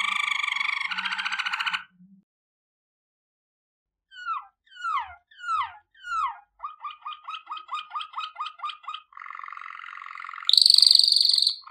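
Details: Waterslager canary singing for training: a rolling trill, then a series of falling liquid water-like notes, a rapid run of bubbling repeated notes, a buzzy roll, and a final high shrill trill, in a quiet indoor setting.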